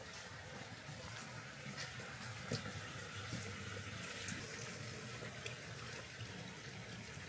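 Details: Rushing water hiss fills the winter walk, broken by scattered clicks and taps, with no clear bird or other animal voice.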